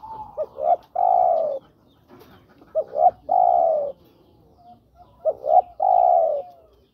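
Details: Male-style courtship cooing of a spotted dove calling a female: three repeated phrases about every two and a half seconds, each two brief rising hoots then a long mellow falling coo.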